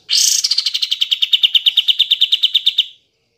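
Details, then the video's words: Kapas tembak, used to stir sluggish caged birds into song: a loud, fast rattle of around twenty-five clipped, high-pitched notes, evenly paced, holding steady for nearly three seconds before stopping abruptly. "Pancingan Kapas Tembak Macet / Malas Bunyi"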